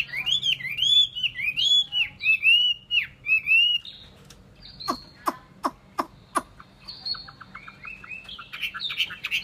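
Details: Chinese hwamei song: loud, rich whistled phrases with looping rising and falling notes, then a run of sharp clicking notes and a softer closing warble.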